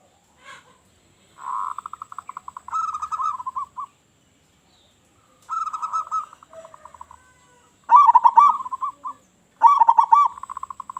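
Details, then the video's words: Local zebra dove with a loud voice, a lure for other doves: steady pulsed coo series, then vigorous warbling trilled phrases, each trailing off in quick, evenly spaced notes. "Perkutut Lokal Gacor Suara Besar Suara Paling di Sukai Burung Perkutut apa Saja"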